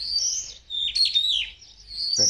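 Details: A spotless starling in courtship sings a jumble of high, squeaky whistles and rasping chatter, some notes sliding downward, with a narrator's voice breaking in at the end.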